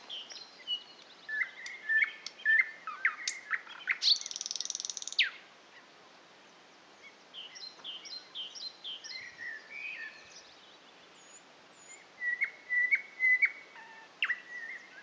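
Thrush nightingale song: loud phrases of sharp clicks, chucks and pure whistles, with a harsh rattling burst, then a pause before the next phrase.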